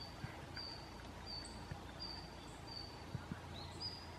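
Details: Thin high call notes of Red-flanked bluetail, several birds present, late November 2014, camera recording: short level whistles spaced roughly every 0.7 seconds, a couple of fainter higher notes near the end, against a steady low background noise.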